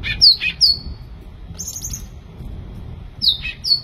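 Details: Sooty-headed bulbul singing vigorously: two falling whistled notes, a high buzzy trill, then another pair of clear down-slurred whistles.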